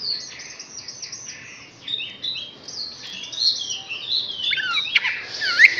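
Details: A six-month-old Chinese hwamei sings a rich, varied run of loud whistled phrases, slurred notes and quick trills, shifting pitch constantly, with a faint room hum beneath.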